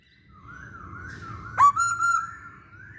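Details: Masked laughingthrush song used to lure other birds: a faint wavering whistle, then a sudden loud rising note and two steady whistles, over low background rumble.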